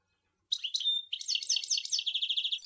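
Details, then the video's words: European goldfinch singing, Sour El Ghozlane: opens with a few liquid chirps and a pure drawn whistle, then launches into a fast, steady run of repeated bright, tinkling twitter notes. "Chant Chardonneret"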